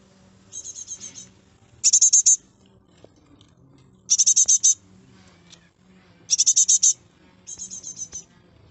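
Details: Three great tit fledglings in a garden calling in turn, repeated bursts of five to seven rapid, harsh, high notes every couple of seconds, some softer and some louder, over a low hum.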